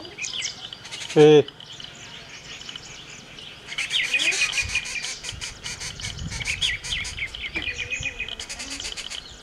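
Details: Rufous treepie giving a single loud, brief call with stacked low tones near the start, followed by a long stretch of busy high chirping and chattering from other birds in the background.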